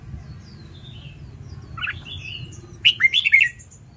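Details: Red-whiskered bulbul competition-style singing for training birds: faint distant high chirps, a soft double note, then a loud burst of rapid warbled, looping whistles near the end over steady low background noise.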